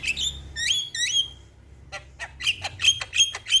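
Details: Javan myna (jalak kebo) singing on a tutoring recording for young mynas. Sharp rising whistles in quick bursts, a pause, then clicks and repeated bright whistled notes about every third of a second.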